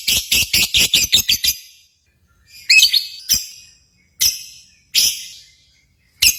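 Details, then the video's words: Lovebirds recorded at a contest to stimulate pet birds: a quick burst of about eight harsh chips, then a pause and several separate loud, raspy shrieks spaced roughly a second apart. "SIMULASI BURUNG LOVEBIRD"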